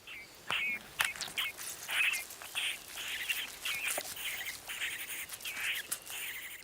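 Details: Young Great Spotted Cuckoo in Spain, raised by crow foster parents, begging for food with harsh raspy high calls repeated rapidly, almost continuously, with a few thin chirps mixed in.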